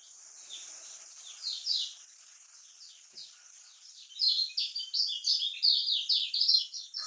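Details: Kecial kuning (lemon-bellied white-eye) in a Lombok-style song, played to draw song from quiet birds: steady hiss at first with faint twitters, then a burst of fast, high chirping phrases in the second half.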